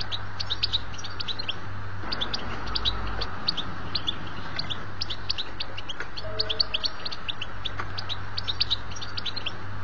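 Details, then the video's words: European goldfinch song, used to tutor young goldfinches and excite birds: a fast, tinkling, nearly continuous stream of high twittering notes and buzzy trills over a steady low hum. "أحسن بتبتة تهيج meilleur chant pour éxcité le chardonneretالحسون"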